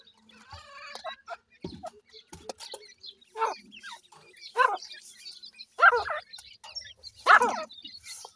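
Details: Grey francolin chicks, said to be afraid to eat their food, give short, irregular high chirps with ringing overtones that grow louder and more drawn out near the end, with faint scratchy rustling between calls.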